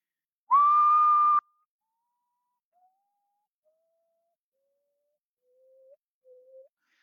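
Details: Common potoo (Nyctibius griseus) song, heard calling at night in Panama: one loud, mournful whistled note, then four or five softer whistles, each a step lower, fading away over about six seconds.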